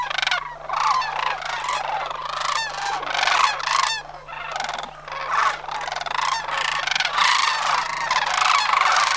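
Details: Sandhill cranes from a flock of about 100 at Homer during September 2009 autumn migration, near a monitoring site at the end of Skyline Drive; many birds give overlapping rolling, rattling bugles almost continuously, forming a dense chorus with no pauses.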